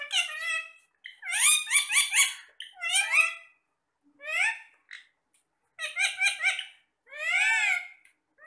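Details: Talking parrots chattering to each other while eating apple: bursts of harmonic, voice-like babble and rising squawky phrases, a few seconds each with short pauses between, indoors.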